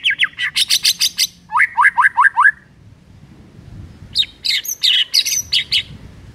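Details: White-rumped shama singing in the morning, a lure song meant to prompt a reluctant bird to sing. Rapid series of bright chirps, then a run of five rising whistled notes, a pause, and another burst of sharp high notes.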